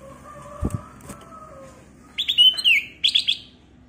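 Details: Clear-voiced, lively black-crested bulbul (kutilang emas) in a lure recording. Two dull knocks and a soft low tone come first, then a bright slurred whistled phrase and three quick chirps.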